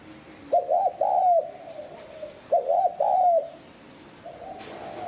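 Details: Cooing of a spotted dove played to attract wild doves, with two clear phrases of quick double notes and a prolonged falling coo, a further softer coo at the end.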